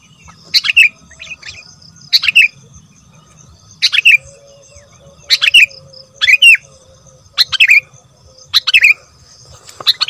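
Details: Sooty-headed bulbul lure song: a short bright phrase sliding downward, repeated about every one and a half seconds over a quiet background with a faint steady hum.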